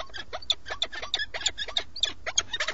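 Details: At a peregrine falcon nest in Alcalá de Henares, Madrid, Spain, filmed by live webcam on 8 March 2017 as the male brings food: a fast, continuous run of short, grating, chattering notes, roughly six or seven per second, over low hum.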